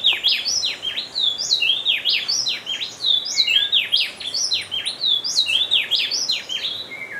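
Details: Speckle-breasted wren singing at Bioparque Bonita Farm, Dosquebradas, Colombia: sustained chattering stream of bright slurred whistles, dipping and rising notes tumbling over one another in loud rhythmic bursts for several seconds.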